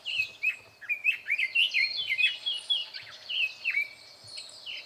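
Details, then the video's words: Red-billed leiothrix singing loudly from inside bushes, recorded 21 May 2024; a rapid warbling run of whistled, slurred notes rising and falling between mid and high pitch, about four seconds of continuous phrases. "ソウシチョウ ～大きな声です～"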